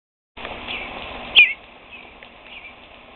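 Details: Fledgling bluebird perched at a screen door, giving one sharp, high peep followed by fainter, thin peeps. There is a low background hum.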